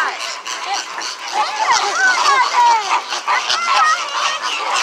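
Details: Flamingos at SeaWorld on a day they were very loud. A busy chorus of nasal honks and grunting notes, some sliding in pitch, repeats irregularly about three times a second.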